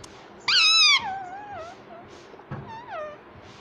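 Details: Cute talking ringneck parrot at home gives a loud, nasal, harmonic syllable that slides downward and trails off, then a softer, wavering second phrase.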